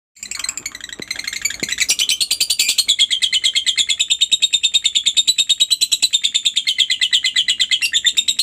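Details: Lovebird chattering rapidly, the Indonesian style called ngekek, meant to prompt other lovebirds to join in; a long run of fast, even, harsh chirps about three per second, high and dense, after a few scattered opening notes.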